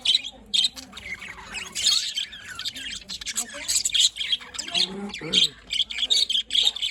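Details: Budgerigars in the morning, recorded 5 November 2023 in Larkana, Sindh: a busy flock chatter of squawky notes and short chirps in overlapping bursts, with a faint low voice underneath.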